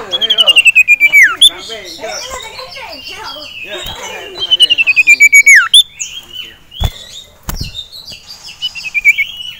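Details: An excited male ashy tailorbird in a cage, facing a rival and a female, delivers two descending buzzy trills several seconds apart, each closing with a quick rising flick, amid dense overlapping chatter.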